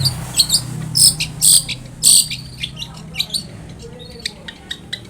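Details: Long-tailed shrike song for luring another shrike into answering: loud, sharp high chirps clustered early, then softer scattered notes and a short thin whistle, over a steady low hum.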